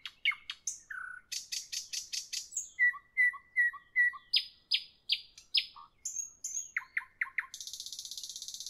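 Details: Nightingale evening song, fast and varied: sharp chips, a buzzy rattle, a row of four clear repeated notes, falling whistled strokes, then ending in a long, very high, dry buzzing trill.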